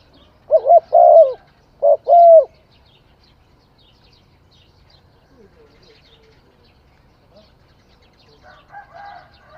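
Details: Close spotted dove giving a short coo, a longer rolling coo and a second full coo, then a pause with faint distant chirps and soft tonal calls from other birds.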